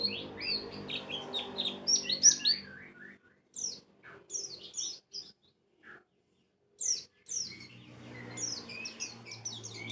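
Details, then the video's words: White-eye song used as a lure to trigger a bird into open-beaked ngalas singing: bursts of fast, high chattering twitters separated by brief silences, a steady low hum beneath. "PANCINGAN PLECI BAHAN JANATAN PASTI BUKPAR,NGALAS,WIKSAR"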